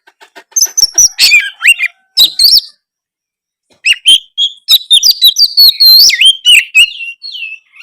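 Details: White-rumped shama in a cage, its loud song meant to make other shamas reply: quick clicking notes with high whistles, a silent gap of about a second, then a sustained run of sharp chips and swooping whistles.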